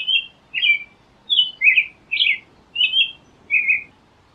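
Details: American robin song: a series of seven short warbled, whistled phrases, each rising and falling, spaced roughly half a second apart, with faint low background noise.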